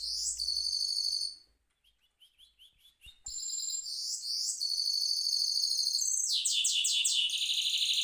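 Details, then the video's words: Caged mule goldfinch rolling: loud high trilled phrases, a brief lull of soft clicking notes, then a long unbroken run of rapid rattling and twittering song. "mule goldfinch rolling on cage"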